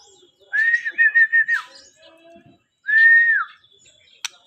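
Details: White-rumped shama sings two rich whistled phrases, the first a run of stuttering repeated notes ending in a falling slur, the second a single sustained whistle dropping at the end, with a sharp click near the finish.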